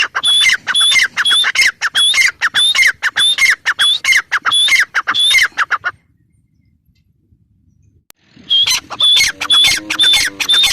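A female grey francolin gives loud, shrill, squawking notes in a rapid series, about one and a half per second. The calling breaks off into a brief silence, then resumes.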